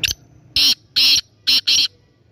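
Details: Kept black francolin of the Sindhi type, Topi in Swabi District, calling loudly: an opening click followed by four harsh, grating bursts in two pairs, each note broad and scratchy, against a quiet room.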